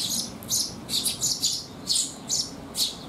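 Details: Sparrows coming to be fed at a resting spot on a rainy day, 19 June 2021: about seven high, bright chirps spread unevenly over three seconds, some in quick pairs, over a faint low hum.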